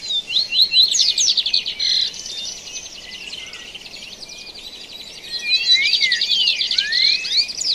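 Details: Dawn chorus of many birds recorded live in nature: thick, rapid high-pitched trills and chatter that swell, fade to a softer twittering, then build again, with rising whistles near the end.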